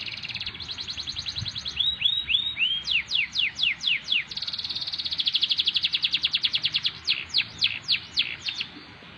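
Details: Canary singing a continuous song of rapid trills and repeated notes: fast buzzy rolls, a run of rising whistled slurs, then steep descending sweeps repeated about twice a second, ending in a long even trill and more downward sweeps.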